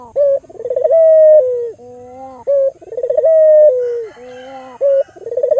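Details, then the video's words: Vocal albino Barbary dove's lure call to get other doves calling: clipped opening note, quick bubbling trill, a sustained clear coo sliding downward, and a quiet low hum, cycling roughly twice in five seconds. "Pancingan Burung Puter Lokal Albino Gacor Suara Merdu"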